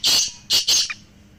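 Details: Black francolin call used to encourage a silent pet francolin to call: three loud, harsh, rasping bursts in quick succession, the second and third close together, then quiet.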